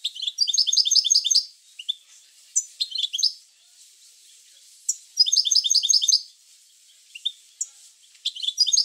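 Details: European goldfinch song used to stimulate goldfinches to sing: bright, tinkling bursts of rapid high twittering notes, each phrase about a second long, separated by short pauses and a few isolated chirps.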